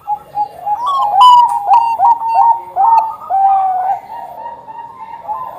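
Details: Bangkok-type zebra dove cooing, a lively string of clear, slightly wavering coos with quick note breaks, used as a lure song to prompt other doves to call.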